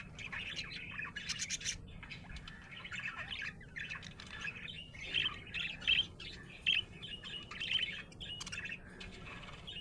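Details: Happy budgie chirping, a busy chatter of scratchy warbles with several sharper, brighter squeaky notes standing out near the end, over a soft steady hum.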